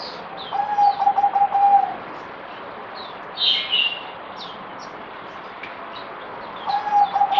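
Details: Zebra dove (merbok), a cage bird recorded on 17 April 2020 during deworming, day four: a fast rattling run of soft coos, then another phrase begins near the end; thin high tweets from other birds in between.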